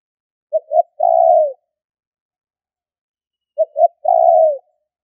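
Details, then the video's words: Two spotted dove lure phrases about three seconds apart, each a pair of short coos followed by a long, soft, falling hoot, with nothing else audible. "Tiếng chim cu gáy gọi thúc kích bổi nhanh nổi"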